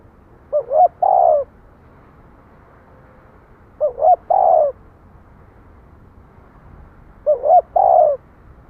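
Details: Spotted dove cooing: three phrases about three seconds apart, each two short rising hoots then a longer, lower, falling coo, mid-pitched and soft. Faint low background hum, no other birds.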